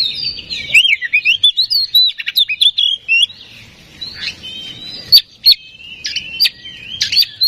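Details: Oriental magpie-robin song played to provoke a bird into singing: quick warbled whistles at first, later spaced sharp chips and loud clicks between whistled phrases.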